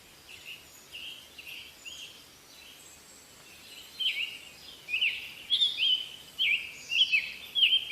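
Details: Bird calls over steady background hiss: faint notes at first, then a run of clear whistled chirps repeated about every half second.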